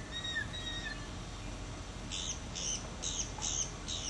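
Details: Florida mockingbird recorded in 2005 singing and preening: a few thin whistled slurs, then five harsh, evenly spaced high chips repeated about three times per second, with steady low background noise.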